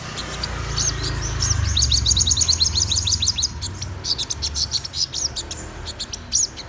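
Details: A black-throated sunbird (Aethopyga saturata) sings in the morning: a fast, high, thin twittering song of sharp chirps, about three a second, over a low rumble of wind.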